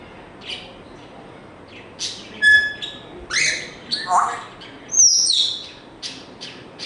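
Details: African grey parrot producing a string of varied sounds: short chirps, a clear whistled note, buzzy squawk-like bursts and a high whistle sliding down, spaced irregularly over several seconds.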